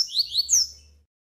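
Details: Double-collared seedeater tutor male singing the tui tui song with an opening trill, used to teach and train young males: three loud, high whistled notes sweeping down then up, bright and clear, fading out.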